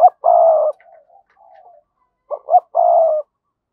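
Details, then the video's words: Calling decoy spotted dove in the giọng thổ style; a long throaty coo, soft quiet murmurs, then two short clipped notes and another long coo. "Chim Cu Mồi Gáy Gọi/ cu gay kich boi nhanh noi gù"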